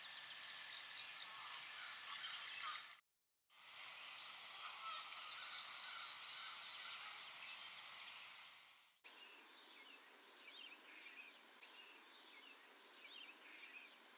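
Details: Blackburnian Warbler: a very rapid series of thin, high zips ending in a piercingly high final note, given twice; then a different series of slurred, very high phrases, its secondary song used when males encounter each other.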